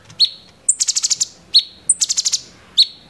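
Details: Cucak cungkok (grey-cheeked bulbul) in 'tembakan' style. A clipped note leads into a fast burst of five to six very high staccato notes, repeated twice, then a single sharp chip.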